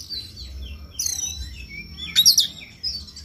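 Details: Oriental magpie-robin song, a morning lure recording meant to spur another bird into persistent singing; sparse high whistled phrases and a brief bright burst of chattering notes, with low background rumble.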